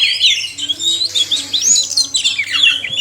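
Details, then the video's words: Male and female oriental magpie-robin song, played to encourage caged kacer to sing; rapid tumbling sequence of sharp whistles and chips, high and densely packed for the full three seconds. "suara kacer/sekoci jantan dan betina merangsang bunyi"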